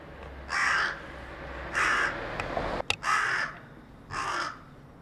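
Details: Carrion crow calling from atop a utility pole in a residential area, Japan, 4 February 2021, giving four hoarse rasping caws about one second apart, with a faint click in between.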